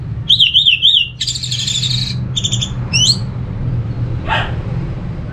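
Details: Orange-headed thrush singing to lure other thrushes into song: a wavering whistled trill, then buzzy high chatter and sharp upswept notes, over a steady low background hum.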